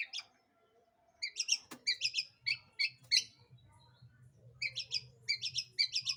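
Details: A long-tailed shrike sings a lure song for provoking other birds: doubled and tripled high, squeaky notes in bursts, separated by short pauses, over a steady low hum.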